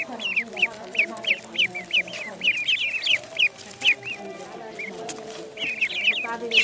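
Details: High-pitched duckling peeps repeated in a fairly even string, roughly three per second at first, then pausing before a last quick cluster; the birds are in a pond.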